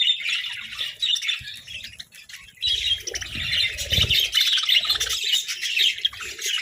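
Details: Pet budgerigars bickering over treats: continuous busy high-pitched chirping and chattering from many birds, briefly thinning near the middle, with low knocking and rustling noises.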